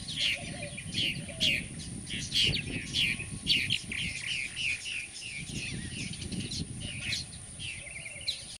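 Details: Purple martins at a breeding colony nesting in plastic gourds hung under a wooden martin house, San Benito, Rio Grande Valley, Texas, May 26, 2014: busy overlapping chirps and gurgling warbles, over a steady low rumble and a constant high whine.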